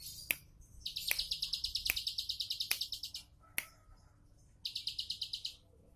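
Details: Bar-winged prinia in relaxed 'tembakan' song: a two-second run of fast pulsed high notes, a pause with sharp clicks, then a shorter second burst.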